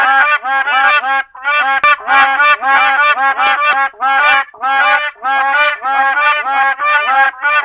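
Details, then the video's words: Black crowned crane, also called West African crowned crane; loud nasal honking notes, harmonic-rich and repeated in quick bursts roughly every half second, with several birds overlapping at times and only short gaps between calls. "黑冕鶴(西非冕鶴、黑冠鶴)/Black Crowned Crane"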